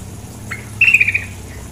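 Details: Brief buzzy pulsed rattle of five or six notes from a female sooty-headed bulbul, over quiet low hum.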